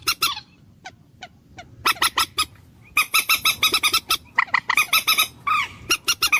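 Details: Common moorhen, known locally as dungkor or jol murgi, giving harsh, clipped clucking notes in rapid bursts, separated by short pauses, with a few scattered single notes early on.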